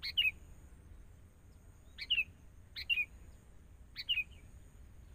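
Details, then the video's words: Sooty-headed bulbul during training with a decoy bird, hoping to lure local birds closer: four crisp descending double chirps, the last three roughly one second apart, over quiet background. "Proses.. Melatih Kutilang Mudah Hutan.."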